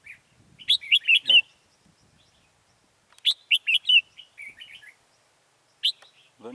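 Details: Decoy red-whiskered bulbul singing to draw wild birds into a trap, 14 October 2018: two lively phrases of rapid, bright warbled whistles about three seconds apart, a short burst of man's voice at the end.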